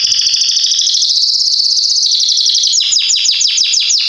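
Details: Strong-voiced Belgian canary, valued for teaching young birds to sing, produces a sustained high rolling trill that shifts pitch midway, followed by a rapid series of sharp descending sweeps.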